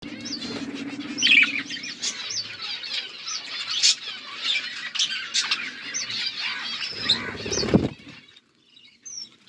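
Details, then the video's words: Budgerigar flock chirping: dense warbling chatter and short squawks, mixed with wing flaps and a low hum, ending in a loud brief burst before near silence. "Budgies flocks birds chirping sounds"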